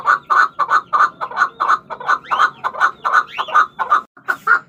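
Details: Chukar partridge, known locally as chakor, giving a rapid series of harsh clucking notes, roughly four to five per second, building into louder chuckling phrases with a few rising upslurred notes, steady and rhythmic throughout.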